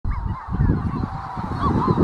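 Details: Manx shearwaters near the North Haven on Skomer, heard without visuals: harsh, wavering, honking calls that rise and fall in quick overlapping bursts, over a heavy low rumble of wind or handling noise.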